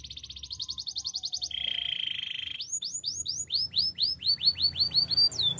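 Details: Active canary singing, used for training other canaries: a fast buzzy rattle, then a steady held whistle, then a run of clear downslurred notes repeated about three per second.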